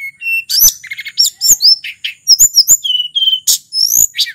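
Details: Wild sulingan from Mount Merapi, played as a lure for flycatchers and to stir silent captive birds into song: a rapid, varied run of high whistles, short trills and sharp chirps, notes leaping and falling with tiny gaps.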